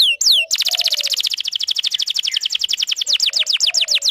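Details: Canary song used as a lure and for young canaries learning to sing: two quick high rising-and-falling notes, then a long, rapid, even trill of sharply down-slurred notes at about ten per second.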